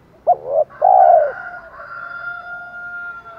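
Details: Decoy spotted dove in the 'thổ' calling style for drawing in wild doves: one phrase of two short coos and a sustained coo, followed by a faint lingering whistled tone.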